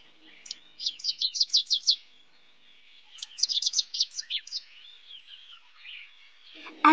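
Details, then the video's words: A canary sings two bursts of quick, high, repeated chirping notes, then trails into softer warbling; a sharp click ends the recording. "let's listen to the canary"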